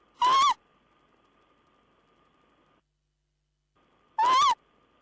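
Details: Owl at the nest with a mouse on 14 April 2010: two short, harsh, wavering cries about four seconds apart, loud and overdriven, separated by near silence and a faint electrical hum.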